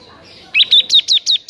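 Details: Bar-winged prinia singing energetically, as tutor song: five loud, clear, sharp chirps repeated about every fifth of a second.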